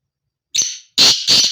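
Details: Harsh call of a male black francolin (kala teetar) in breeding season: a thin grating note, then two loud rasping notes close together, with no other sounds.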